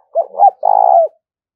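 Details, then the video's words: Spotted dove cooing, used to stir decoy doves into cooing quickly and to train lure birds: two short hoarse notes followed by a longer, drawn-out, slightly pulsed coo falling at the end. The background is otherwise quiet. "tiếng cu gáy kích bổi nhanh nổi xiêng gáy và tập mồi rất hiệu quả"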